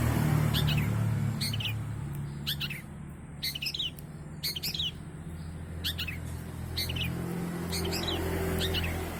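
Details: Long-tailed shrike in eager song with plenty of fills, played as a lure. Short chirpy phrases repeat irregularly over a loud low drone.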